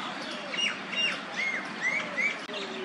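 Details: A pair of Rose-ringed parakeets eating Callistemon flower buds in Nehru Park in spring give short, sharp screeching notes, about five in under three seconds, some rising and some falling, over a busy background of other birds.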